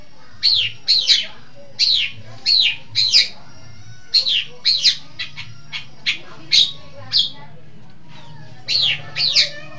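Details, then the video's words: Long-tailed shrike from East Java singing a fast series of scratchy down-slurred notes, often in pairs, in quick bursts with brief pauses. "Burung Pentet Jawa Timur Cerdas Gacor"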